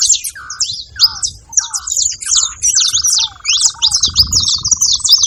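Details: Saffron finches making noise at a seva feeding spot in Brazil: high, stuttering chirps overlap while a lower buzzy note repeats and then stretches into a long drawn buzz, with curved whistles between.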